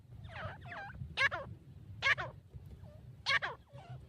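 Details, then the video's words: Grey francolin calling: harsh, ringing notes rising and falling in pitch, with three loud bursts about a second apart between softer bent notes, over a steady low rumble. "Acha Teetar Voice"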